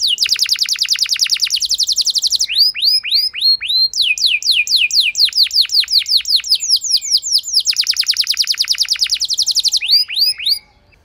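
A canary sings a long, rapid song of trilled rolls and repeated sweeping whistled notes, high-pitched and continuous, with no other sounds.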